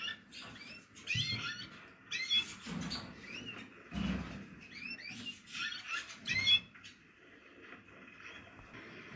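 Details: Captive Portuguese Harlequin canary chicks uttering irregular bursts of high squeaky chirps over rustling and low bumping noises.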